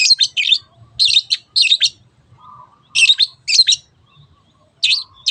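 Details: Long-tailed shrike 'teot teot' song played as a lure for other birds: paired harsh, buzzy bursts separated by gaps of about a second, with a soft low murmur in the quiet stretch midway.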